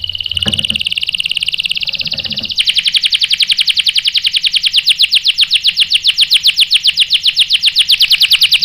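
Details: Canary singing as a provoking lure: a sustained high rattling tone with faint knocks, then a very fast, rhythmic, sharp rolling trill that grows louder and continues to the end.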